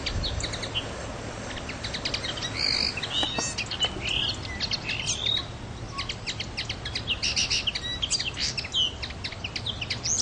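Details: Common linnet on Pantelleria island, Italy, recorded 9 January 2011: a long run of dry, rapid twittering notes and short trills with a few nasal, rising whistles, fairly steady throughout, over low constant background rumble.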